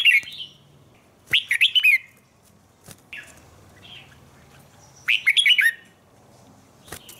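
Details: A red-whiskered bulbul gives competition-style, wild-type song in short, bright warbled phrases with quick rising and falling notes.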